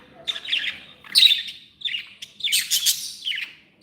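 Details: Pet budgerigars called happy, giving a continuous warbling chatter of buzzy notes and squawks rising to a louder, harsher burst near the end.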